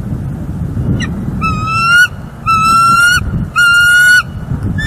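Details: Bald eagles at a northeast Florida nest on 18 December 2021, filmed by a live nest cam as the male brings in dried grasses and takes a turn on the egg: three loud, drawn-out, slightly rising nasal calls, preceded by a short note.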